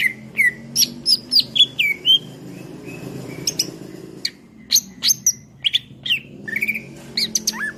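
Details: Greater green leafbird (cucak ijo) singing as a master voice for songbird training: varied sharp whistles and downslurred notes repeated at short intervals, with steady low background hum.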